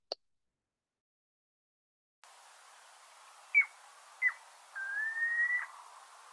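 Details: Piping Plover call, the two-note high-low peep, heard as two short clear whistled peeps then a longer, slightly rising piping note over steady hiss; on beaches the birds are often heard before they are seen.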